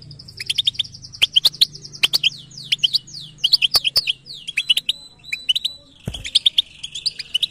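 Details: Goldfinch delivering batbata-style song, opening with a fast run of buzzy, slurred downward notes, then tinkling chirps and a final high trilled phrase; steady low hum in the background.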